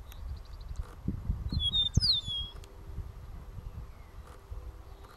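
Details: An Eastern Meadowlark sings in a Prairie Smoke field at Carden Alvar Provincial Park, Ontario, late afternoon on 22 May 2022: a brief run of clear, high, downward-slurred whistles, with steady wind rumble and faint other birds.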